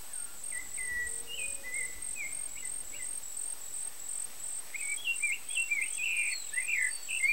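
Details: Rufous-bellied thrush chicks in the nest, being fed by their parents, give thin, short chirps, sparse at first, then a quick cluster of rising and falling squeaks, over a steady high insect drone; Brazil.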